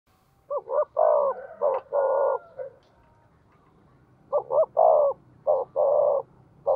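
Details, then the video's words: Spotted dove decoy bird with a 'giọng thổ' voice, quick to call: two cooing phrases, each of two short clipped notes then two longer, mellow, low hoots, separated by a quiet gap. "Chim Cu Mồi/ cu gay kich boi nhanh noi"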